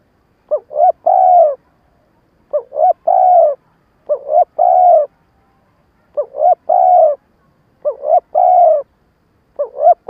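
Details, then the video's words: A spotted dove decoy coos in the stuttering style used to provoke wild doves. About six phrases in ten seconds, each a clipped double hoot followed by a long, soft, steady note, with quiet gaps between. "Tiếng cu gáy mồi cà lăm gù - gáy - thúc kích bổi nhanh nổi"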